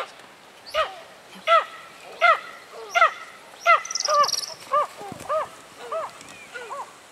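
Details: Tawny eagle in Kruger National Park, South Africa, giving a series of about ten hoarse, arched barking notes, roughly one every three quarters of a second, the later notes softer and lower, with a brief higher rattle midway.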